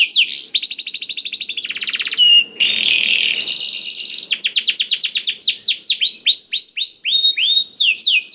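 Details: Canary tutored with blackthroat song, used as a lure to get canaries singing: fast high trills of repeated downslurred notes, then a harsh buzzy rasping passage around the third second, followed by rapid sweeping whistled note series.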